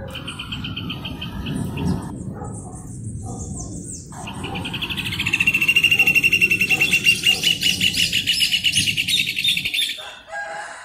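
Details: Song of the rufous hornero: quiet bird notes over low rumble at first, then a loud, fast trill of sharp repeated notes swells in the middle and runs for several seconds before cutting off.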